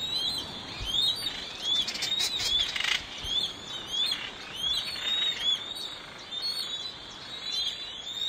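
Lesser noddies chatter in a steady stream of short, high, chirping and squeaky calls from several birds at once, with a brief rush of wingbeats near the start.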